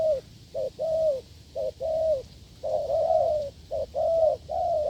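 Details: Wild spotted dove cooing forcefully near a decoy setup. Low paired coos repeat steadily: a clipped first note, then a longer swelling coo that fades down. About five phrases fill the stretch with no other clear sounds.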